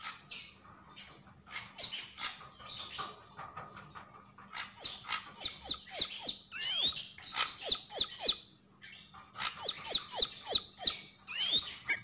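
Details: Javan grey-throated white-eye singing energetically: long runs of quick, repeated high chirps, several per second, mixed with sharp downward-sweeping whistles, pausing briefly between runs.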